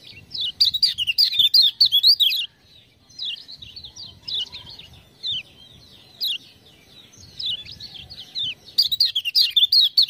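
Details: Lemon-bellied white-eye, prompted by ciak-ciak calls, gives loud quick runs of high chirping notes, a quieter twittering stretch in the middle, then another strong rapid burst at the end.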